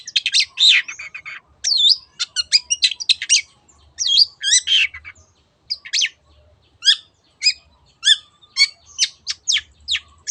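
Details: A long-tailed shrike (cendet) gives a lively 'teot teot' song meant to lure other birds into singing: dense clusters of harsh and whistled notes, then sparser sharp, downslurred chips after a brief pause.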